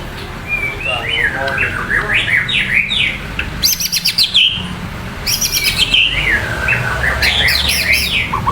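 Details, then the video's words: White-rumped shama song of varied whistled phrases, rising and falling warbles broken by bursts of high rapid notes, over a steady background hiss. "Saura merdu kicau burung murai"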